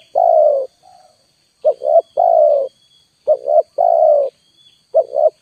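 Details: Spotted dove calling as a lure, a two-part short coo followed by a long drawn-out lower coo, the phrase repeated about every two seconds with a soft extra coo between; a faint steady high tone runs throughout.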